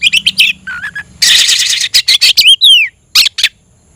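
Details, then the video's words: Oriental magpie-robin calling out a rival to fight, with short whistles, a long harsh buzzy rasp, quick sharp notes, a downslurred whistle and two final rasps, over a faint low hum. "kacer gacor‼️kicau burung Kacer gacor memanggil lawan tarung"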